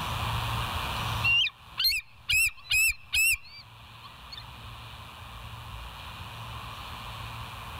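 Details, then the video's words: Bald eagle filmed by a live nature camera on 27 September 2023 around 07:02 in the morning; five loud, sharp, piping chirps with a rising-then-falling inflection, given in quick succession over about two seconds, against a steady background hiss. "West End Bald Eagles"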